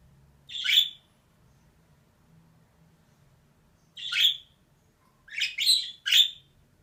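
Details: Female budgerigar: a single harsh chirp, a long pause, then another, followed by a rapid cluster of three rasping notes; faint low hum behind.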